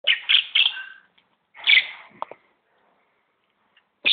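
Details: Hand-reared young common blackbird, found less than a week earlier, calling while being fed: harsh, raspy begging bursts in two clusters separated by short silences, with a brief sharper note near the end.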